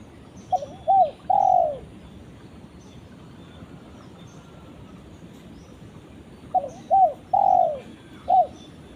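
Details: Spotted dove calling to its companion: two phrases of hollow, low cooing, each a pair of short clipped notes then a longer drawn-out slurred coo and a final short note, about six seconds apart, over a steady soft background hiss.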